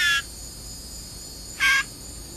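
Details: Hand-fed blue jay shrieking when hungry during feeding: two short, harsh, noisy shrieks about a second and a half apart, with a man's coaxing voice nearby.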